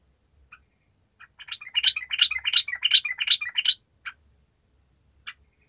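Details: Sooty-headed bulbul in steady 'gacor' song, meant to make silent bulbuls respond: scattered single notes, then about two seconds of rapid, rhythmic, bubbling chatter, followed by a few isolated notes.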